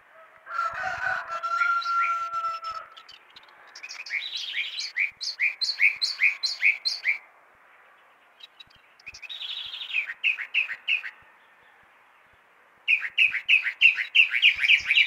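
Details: Chalk-browed mockingbird singing heavily at 6 in the morning: varied phrases, opening with a steady whistled note, then bursts of rapid repeated chirps that rise and fall, separated by brief pauses.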